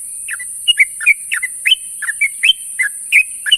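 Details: Sooty-headed bulbul calling companions at morning, giving lively two-part slurred chirps, each dipping then rising, about three per second in an unbroken chatter above steady hiss.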